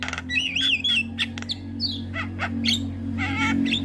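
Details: Starling lure song for training captive birds: a wavering whistled phrase, then scattered harsh notes and sweeps over a steady low hum, ending in a buzzy rasp.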